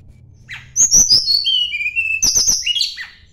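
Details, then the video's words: Sunda blue robin song directed at a rival: clicks lead into long, gliding high whistles that drop in pitch, followed by quick sharp strokes and a downslurred note. "kicau tledekan gunung mencari lawan"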